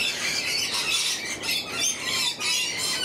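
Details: Lorikeets in the morning give a constant stream of harsh, high, screeching squawks, many birds overlapping in a noisy chorus.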